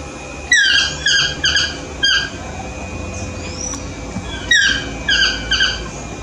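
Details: Morning song of a Yellow-throated toucan (Ramphastos ambiguus): bursts of three or four harsh, yelping, downward-slurred notes separated by brief pauses. A faint steady hum runs beneath.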